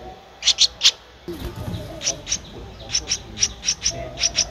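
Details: Streak-eared Bulbul nestling aged 13 days, Ubon Ratchathani, Thailand, 15 April 2023: a triple burst of high chirps, a brief rustling thud, then a fast run of thinner, evenly spaced squeaky cheeps.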